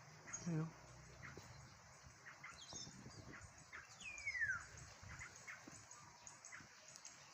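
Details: A loud Black-naped oriole calls from near the recorder's position outdoors: one bright, smoothly falling whistle midway, with a brief low thump early on and quiet background noise.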